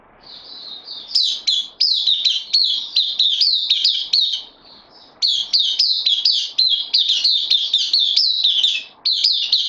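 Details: Caged white-eye, newly arrived on loan, recorded 12 September 2020, pouring out rapid, high-pitched twittering song of jumbled chirps at a steady level, broken by a single short pause midway.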